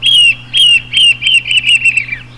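A Narrow-billed Woodcreeper gives six high, clear notes, each sliding slightly downward, about two per second, over a faint low electrical hum.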